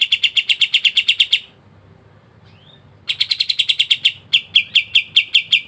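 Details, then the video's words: Fast high chip rattles from a pied triller (kapas tembak) in vigorous ngebren singing, broken by a soft rising whistle during a pause, then resuming with rapid chips that slow into spaced notes. "KAPAS TEMBAK GACOR NGEBREN RAPAT"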